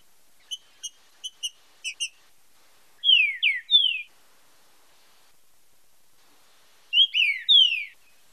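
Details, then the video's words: Training song of a green-winged saltator in the marcheado style: six short, sharp chip notes, then a phrase of three loud falling whistles, a long silence, and the three-note whistled phrase again. "TRINCA FERRO FIBRA COM MARCHEADO - ESPECIAL PARA TREINAMENTO E ESTIMULO DE CANTO"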